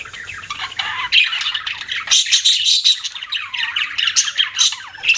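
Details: Pet budgies chattering: dense, high, buzzy warbling with squawks and short clear whistled notes, growing louder after the first second and continuing without break.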